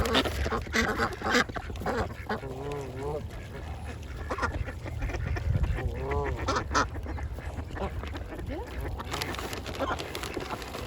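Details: Ducks of several kinds feeding on a pond, quacking almost continuously at about one and a half calls per second. Some drawn-out, wavering quacks mix with sharper short ones over a low rumbling background.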